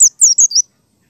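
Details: Wild forest white-eye, used as a lure to get other white-eyes singing: four quick, very high, thin descending chirps in under a second, each sliding downward, followed by silence.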